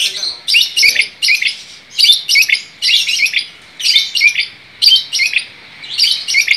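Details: Long-tailed shrike in full, energetic song: bursts of harsh, chattering, scratchy notes delivered in short clusters about every half second, loud and continuous, with no other clear sounds.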